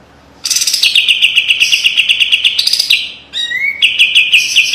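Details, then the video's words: White-eye known as kapas tembak singing a pungent master song: a long, loud, fast trill of evenly spaced buzzy notes, a brief drop, then a sharp rising whistle followed by more rapid trilling. "SUARA KAPAS TEMBAK TAJAM DAN PEDAS‼️ SPESIALIS BESETAN RAPET PALING COCOK MASTERAN"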